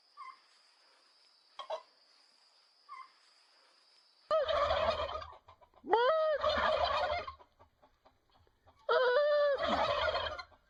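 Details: Turkey: faint soft notes, then three loud gobbles, each a rising yelp breaking into a harsh rattle, about two seconds apart.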